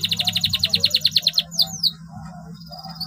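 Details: Canary in continuous song, used to get non-singing canaries going: a quick pulsed trill of a dozen notes followed by two falling sweeping whistles, then near silence with a faint hum.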